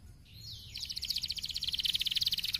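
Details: Stimulating canary song, quieter against a faint background hiss: a soft sliding whistle leads into a long, even, rapid trill of bright notes that grows louder toward the end.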